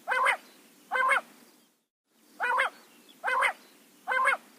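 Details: Morning quail calls in jungle: five short, buzzy-nasal notes with rich overtones, spaced under a second apart, broken midway by a brief dead-silent gap, with faint hiss between calls.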